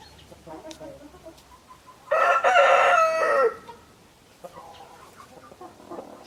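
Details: Rooster crowing: a single loud, drawn-out crow of about one and a half seconds, rich and harmonic with a falling end, over soft background clucking of other chickens.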